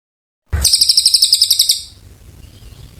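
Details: Oriental white-eye in long, vigorous song used to tutor magpie-robins: a single bright, high trill of rapid pulses lasting just over a second, fading into quiet low background hum.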